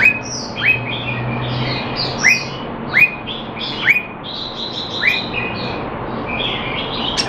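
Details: Singapore caged red-whiskered bulbul, trained to keep it sharp while not in form, 25 December 2020: bright whistled notes with quick downward hooks, repeated roughly every second, mixed with softer warbled phrases and a low steady hum.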